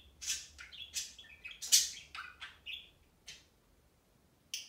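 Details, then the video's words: Pet budgies chattering in a cage, a few loud sharp chirps and short buzzy warbles over about three seconds, then near silence before one last chirp. "Kiwi lectures Pixel and Pixel lectures Kiwi"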